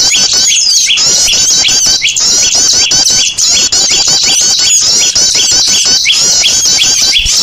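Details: Noisy lure sound of small birds used to attract birds: many high voices twittering at once, with short upward-sweeping notes repeating about once a second over the busy chatter.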